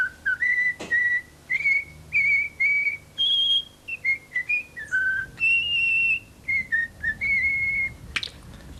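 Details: A tame young common starling in Corsica, a bird that whistles La Marseillaise and talks, whistles a clear, tuneful melody of pure notes stepping up and down in short phrases, a copied human tune; a couple of clicks intrude.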